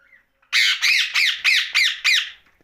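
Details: A pet rose-ringed parakeet at night gives six loud, harsh squawks in quick succession, evenly spaced about a third of a second apart, each with a falling rasping tone.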